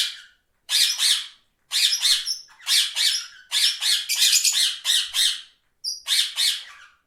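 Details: Different parrots giving loud raspy squawks in long rapid series, doubled notes and short pauses, a high clear whistle heard twice.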